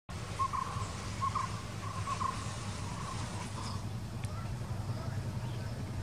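A White-cheeked barbet gives low, hollow, throaty notes repeated roughly every half-second, over a steady low rumble of traffic or wind.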